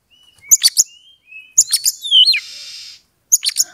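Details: Oriental magpie-robin song meant to provoke a rival to fight: clicking staccato notes, thin whistles, a loud swooping whistle ending in a buzzy rasp, then more rapid chattering clicks.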